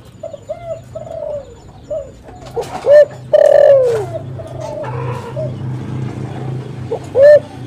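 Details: Spotted dove (tekukur) for luring: soft low coos building to a strong, long downward-sliding coo, followed by further mellow notes and a final short coo over a faint low hum.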